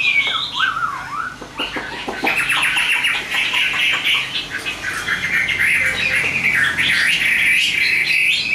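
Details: Chinese hwamei in captivity, offered for sale, opening with a few looping whistles. It then breaks into dense, rapid, chattering and warbled phrases, and ends with louder swooping notes.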